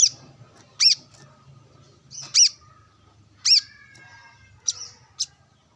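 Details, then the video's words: Brown-throated sunbird, kept and sunbathing, calling to a rival with wild birds around. Isolated sharp, high chip notes spaced about a second apart, with quiet pauses between. "Kolibri kelapa | manggar gacor narung bersama burung liar"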